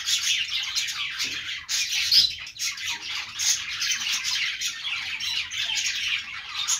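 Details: Budgerigars chirping: a dense, unbroken chatter of high, scratchy chirps and harsh squawks that overlap without pause, with a brief dip in loudness near the middle.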